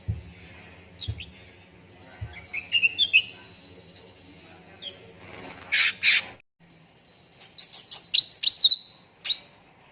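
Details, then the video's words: A cucak ranting training recording for contest birds. Thin whistles and short slurred notes are followed by two loud harsh bursts, then a quick series of sharp high chirps ending in a ringing note. Low thumps sound early on. "PANCINGAN CUCAK RANTING BAHAN AGAR CEPAT GACOR"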